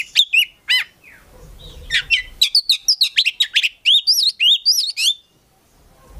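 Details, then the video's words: Oriental magpie-robin (kacer), a kept prospect bird from a private collection, singing energetically in gacor full isian style: varied high whistled notes and slurred upsweeps, quick chattery phrases after a short pause, with faint low rumble underneath at first. "KACER GACOR FULL ISIAN BIKIN KACER APAPUN LANGSUNG NYAUT"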